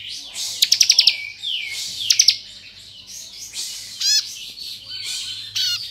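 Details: Bar-winged prinia (Prinia familiaris) song, a training-tutor recording for birds: rapid bursts of sharp, high ticking notes mixed with thin downslurred whistles and brief buzzy trills, loud and energetic.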